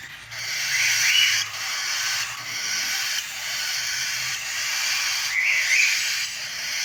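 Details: Cockatiel chicks begging: an almost continuous breathy, hissing rasp that pulses in waves roughly every second, with occasional sharper squeaky accents.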